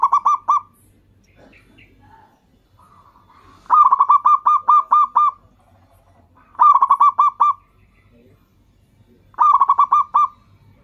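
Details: Zebra dove of local Indonesian stock, its voice played as a lure so other perkutut reply: bursts of six to eight fast, clipped cooing notes repeated roughly every three seconds, with faint softer notes between.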